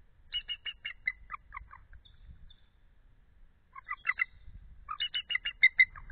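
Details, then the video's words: At night in February, a female eagle standing off the egg to cool it calls and trills, chatting with her mate. Three bursts of quick, high, piping chatter, each run of notes falling slightly, separated by a quiet gap. "Belle is Cooling the Egg; Calls, Thrills too"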